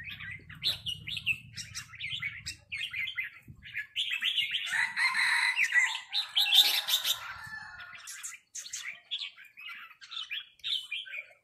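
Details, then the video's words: Red-whiskered bulbuls exchange lively 'rik' calls as a resident bird confronts a newcomer. Repeated chirpy, warbled phrases run throughout, with a harsh, noisy burst in the middle and a low rumble at the start. "นกกรงหัวจุกร้องริกตอบโต้กันมันๆ โดนนกเจ้าถิ่นรับน้องจัดหนัก"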